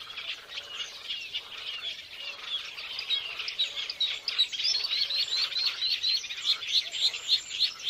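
Violet-backed starlings give dense, high chirps and squeaky whistles, several notes a second, in overlapping chatter that grows busier toward the end.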